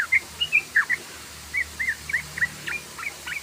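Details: A yellow-vented bulbul sings rapid 'ropel' lure song: a few loud chirps, a brief pause, then softer chattering notes, some dropping steeply in pitch, over a steady low background noise.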